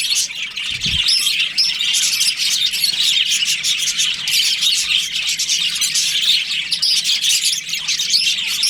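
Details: Budgerigars of a breeding colony chirping during breeding season, a constant mass of high scratchy warbles and chirps, with a short low knock early on.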